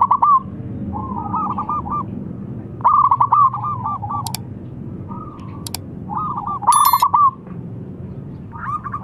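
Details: Local zebra dove calling loudly to make others reply: several rolling trills of quick cooing notes, some phrases softer like distant answers, with occasional sharp clicks between them.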